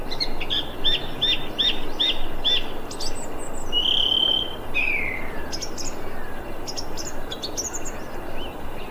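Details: Thrush calling on 25 February 2021; a run of five short, evenly spaced high chirps opens, then a sustained whistled note and a downward slurred call, followed by scattered high ticks and twitters over a constant noisy background.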